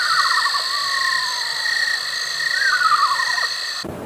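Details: Eastern Screech-Owl in the eastern United States gives two quavering, descending whinnies, each about a second long, sliding down in pitch like a tiny horse, over a steady insect drone.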